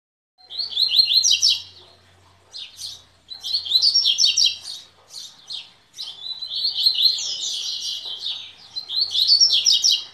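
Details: Coleiro (Double-collared Seedeater) singing in bursts of rapid, high twittering and trilled notes, phrases of one to two seconds separated by short pauses, with a faint low hum underneath.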